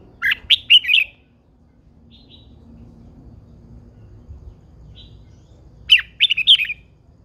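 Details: Caged red-whiskered bulbul, said to be an old wild female goading a male to sing hard, gives two loud, quick warbled phrases of clear chirping notes, one at the start and one near the end, with quiet pauses between.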